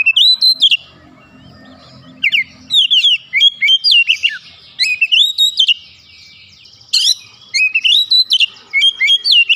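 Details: Emotional kacer, Oriental magpie-robin, stirred into singing: rapid sequences of clear whistled notes and sweeping slurs, dense and varied, with brief pauses and a low rattle early on.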